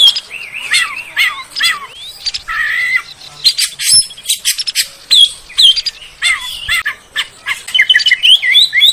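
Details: Lure song of an Oriental magpie-robin, recommended for settled and young spotted birds: varied whistled slurs, downward sweeps and scratchy rattling notes delivered in quick, irregular bursts.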